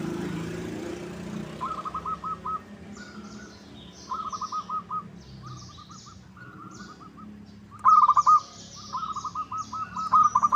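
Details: Zebra dove lure recording to make birds sing back: repeated short rolling phrases and coo strings at varying loudness, as if several doves call, with small birds chirping high above and low background hum.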